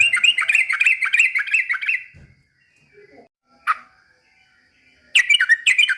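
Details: Trucukan imitating white-rumped shama, a two-second stream of rapid, loud, scratchy whistles, a quiet stretch with one sharp note, then renewed bursts of strong downslurred whistles.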